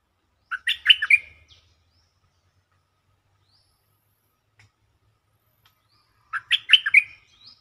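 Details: Caged stripe-throated bulbul repeating its lure song twice, about six seconds apart: each phrase a burst of five chirpy warbled notes, with faint low thumps between.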